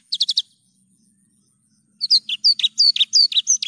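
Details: Clear Javan bush lark song used for training birds: a quick run of sharp chirps, a pause, then a lively varied phrase of slurred whistles and buzzy notes delivered in rapid succession.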